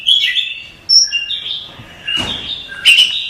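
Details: Oriental magpie-robin masteran song: clear whistled phrases dropping and rising, a high thin note near one second, then a buzzy burst and sharp chattering notes toward the end.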